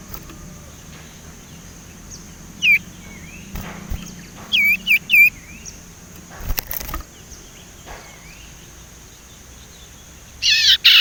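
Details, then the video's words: Young Sumatran leafbird still learning to whistle, giving scattered short high whistled notes, some slurred upward, between quiet gaps, with a brief burst of harsher notes at the end over soft background hiss. "burung sirtu ngeriwik belajar nyiul"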